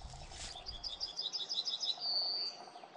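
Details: Eurasian Nuthatch in a forest, observed on 27 February 2024: a quick series of clear, high whistled notes, then one long, level, piercing whistle, over faint background noise.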